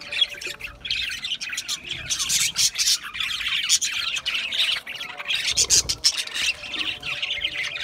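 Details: Budgerigar flock calling nonstop, a busy mix of buzzy warbling, harsh squawks and quick sharp tweets layered over one another.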